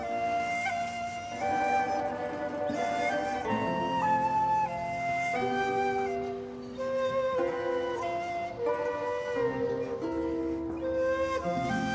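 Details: Flute melody over a sustained instrumental drone, with no animal sounds. The music plays steadily throughout.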